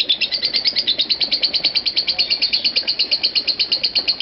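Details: A lovebird keeps up its nonstop ngekek, a continuous trill lasting over five minutes; crisp, high chirping pulses follow one another rapidly and evenly.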